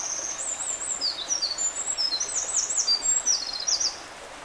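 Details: Eurasian wren song recorded at Kita-Karuizawa: a fast, very high-pitched run of sharp notes and rattling trills, tumbling continuously for nearly four seconds before stopping, over a light background hiss.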